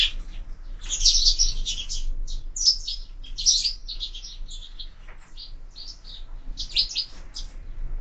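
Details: Sparrows visiting a window feeder chatter continuously in quick high chirps, densest near the start and again toward the end, over quiet low room noise.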